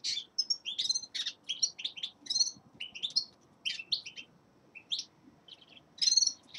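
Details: Common linnet, a young male in winter song, delivering quick bursts of dry twitters and chirps, each cluster short and high, separated by tiny gaps, with a few longer pauses and a louder flourish near the end.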